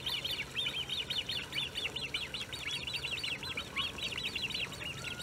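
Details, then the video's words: Persistent high, wheezy peeps from Great crested grebes with young at De Gouden Ham, Maasbommel, 1 August 2018, delivered in a rapid, slightly uneven stream with tiny gaps, above soft low background rumble. "fuut met jongen"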